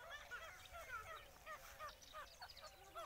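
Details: Grey francolins, one pet and three wild, fighting: quick, clipped, ringing notes repeated several times a second, some rising, others dropping, overlapping in a busy, uneven chorus.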